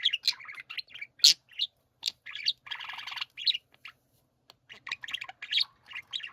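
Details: Pet budgerigars singing together, quick squeaky chirps and a raspy buzzing phrase, a short pause, then renewed chattering warble.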